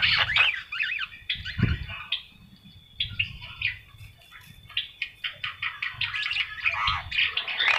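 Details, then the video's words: Javan myna in full song, rapid varied phrases of scratchy chatters, squeaky whistles and harsh notes, broken by brief pauses, with a soft low thump early on and a thin sustained tone threading through. "burung jalak kebo gacor"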